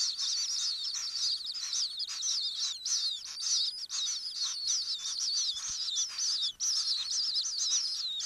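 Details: Recorded from a common kingfisher nesting burrow: nearly unbroken stream of shrill, squeaky, rising and falling chirps, about two bursts per second, with only a couple of brief breaks.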